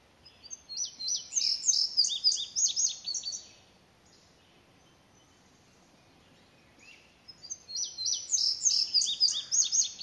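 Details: Singing Indigo bunting, with a house wren and other birds calling nearby; two full bursts of high, bright, doubled notes about three seconds long, separated by a quiet pause of roughly four seconds.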